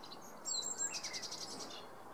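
Male Eurasian blackcap: a few brief scratchy high notes, then a fast run of about seven thin, high pulses lasting half a second, over soft background hiss.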